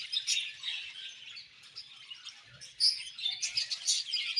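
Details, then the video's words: Budgies chattering softly, a mix of scratchy warbles and sharper high tweets that grow louder toward the end, with faint low knocks. "Beautiful Budgies Chirping Sounds"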